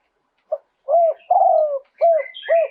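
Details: A Spotted dove sings live in a two-kuk style with fine phrasing: a soft lead-in note, then a run of low hooting coos, one drawn out and wavering, with thin high chirps laid over the final notes.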